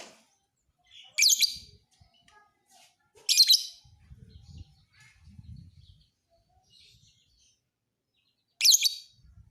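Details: Lovebird, fighter type, used to teach other birds, repeats loud shrill rasping bursts at irregular gaps of two to five seconds, with soft low rumbling noises in between.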